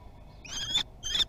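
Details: Young common kestrels trying their wings at Théding on 24 June 2020: two shrill, harmonic-rich calls, each about a third of a second long and rising slightly, with a short pause between them and only faint background hiss.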